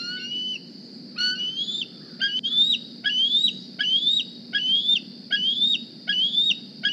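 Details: Juvenile bald eagle, hatched April 2020 and tagged with a GPS transmitter, begging at the nest in the morning: a couple of softer whistles, then a regular series of shrill, upward-sweeping squees about every 0.8 seconds.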